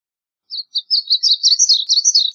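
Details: A steady run of high, quick, sweet notes from a varied bunting climbs slightly in pitch through a two-second warbled phrase.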